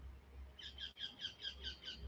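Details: A green parakeet chirping from a big tree at the back of a garden near a park where the species was introduced and thrived: a rapid run of about seven harsh, high squawking notes, roughly five per second, over a low hum.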